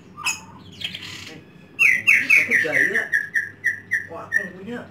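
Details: Indonesian home-kept white-rumped shama gives a few harsh squawky notes, then a clear series of about ten evenly spaced whistled notes, each slightly lower, over a low background hum.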